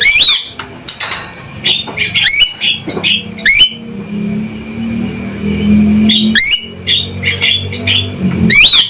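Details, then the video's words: Loud, strident calling from a male Javan myna: rapid bursts of squeaky, upward-sweeping whistles and harsh chatters repeated irregularly across nine seconds, with a constant low mechanical drone underneath. "Panggilan Suara Burung Jalak Kebo Jantan Gacor & Lantang"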